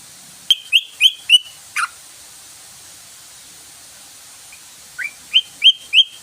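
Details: Lure sound of the yellow-vented bulbul, known locally as trucukan, meant to prompt the bird to sing: a burst of four rising whistles ending in a lower slurred note, a pause, then another run of rising whistled notes.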